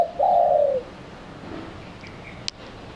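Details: Spotted dove lure sound used to attract doves: a single low, hollow coo that slides gently downward and fades, then quiet with faint background hiss and a brief click.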